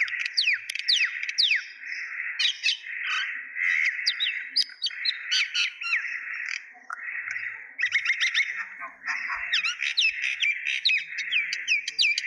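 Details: Common myna (shalik) chorus: continuous busy chattering with many quick whistled downslurs and harsh chirps, several birds seemingly overlapping throughout.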